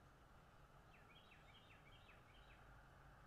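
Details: Bald eagle at a nest in North East Florida, caught on a nest camera on 13 February 2022 around 8 a.m.: a faint, rapid run of high, thin, downslurred chattering notes over steady background hiss.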